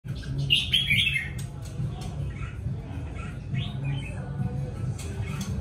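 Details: A red-whiskered bulbul nearly finished moulting sings short, bright warbled phrases, loudest near the start and again midway, over a steady low rumble with possible faint music.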